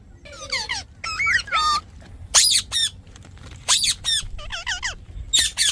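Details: Parrot chirping in bursts of bright, warbling notes that swoop up and down, with loud squeaky chirps spaced about a second apart and quiet pauses between them.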